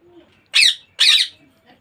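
A young ringneck parakeet gives two harsh, raspy squawks about half a second apart, in a quiet indoor room.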